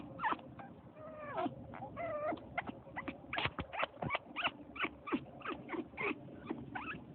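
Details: Pet African grey parrot in Alaska mimicking a puppy to rouse its sleeping owner, which worked; wavering whines and sliding whimpers, then a string of sharp squeaks about twice per second.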